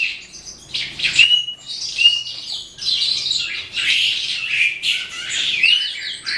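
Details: Evening singing of an eastern calandra lark: bursts of rich, scratchy warbling punctuated by clear rising whistles roughly every second, with brief dips in between phrases.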